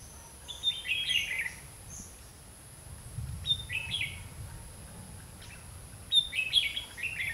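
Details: Red-whiskered bulbul decoy singing in a trapping session, luring wild birds: short bright warbled phrases in three bursts, roughly every two to three seconds, over a low rumble of background noise.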